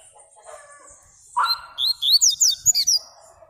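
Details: Yellow-bellied seedeater (Sporophila nigricollis), song.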